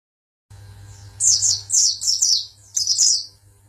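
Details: Champion Oriental white-eye from Pangandaran singing in short, very high twittering bursts, each a quick run of sharp, slurred chirps, about four bursts over three seconds, over a steady low electrical hum.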